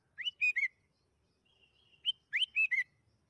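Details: Sooty-headed bulbul song used as a lure to get bulbuls singing: two short, bubbly phrases of three or four rich whistled notes that rise then drop, with a faint thin whistle between.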